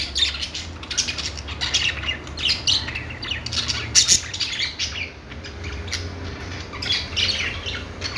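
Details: Long stretch of budgie chatter: rolling chirps, squawks and scratchy warbles in overlapping bursts, loudest midway, over a persistent low hum.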